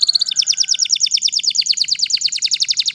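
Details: Canary singing, described as wild, holding one quick even trill of high chirping notes repeated several times per second throughout.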